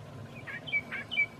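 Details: A short fragment of curve-billed thrasher evening song, Santa Fe, New Mexico, on a mild March evening, with a meadowlark in the background: a few quick, high chirps and two brief, breathy bursts over a soft outdoor hush.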